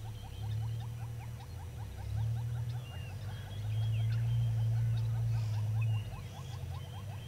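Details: Southern yellow-billed hornbill at the Gowrie dam waterhole, Djuma Game Reserve, Sabi Sand, South Africa, 24 April 2022 at 06:53; a long series of short, hollow clucking notes repeated rapidly and steadily, over a low continuous hum and faint distant birdsong.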